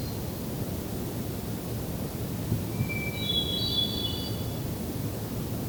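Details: Hermit Thrush in Allegheny National Forest, Pennsylvania, 6 June 2023, after sundown: a single phrase, a clear held whistle then a higher, fluty, shimmering flourish, half-buried in steady rushing background noise.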